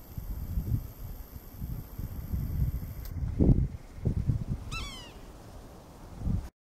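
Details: Yellow-bellied Sapsucker in Lafayette County, Mississippi, in February–March, gives one nasal, cat-like mewing call that slurs downward, over a steady low rumble of wind.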